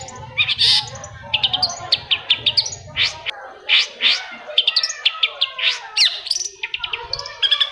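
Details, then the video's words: Long-tailed shrike singing as a prompt for other shrikes: a dense, varied stream of chattering high chirps, slurred whistles and harsher rasping notes, delivered without pause, with a low hum early on. "CENDET MACET SUSAH BUNYI PASTI NYAUT KETIKA MENDENGAR TOETAN BURUNG CENDET INI"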